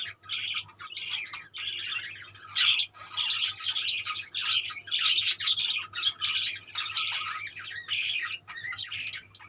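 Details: Many budgies calling together in a colony: continuous raspy chatter and squawks with high piercing whistled notes sprinkled through, barely any pauses, and a low hum underneath.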